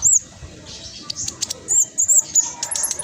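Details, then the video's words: Spotted (trotol) black sunbird in vigorous song, used as a lure to get silent caged birds singing: a few very high, thin sweeping whistles and short sharp ticks separated by quiet gaps. "Blacksunbird trotol gacor prospex cocok buat pancingan burung macet malas bunyi"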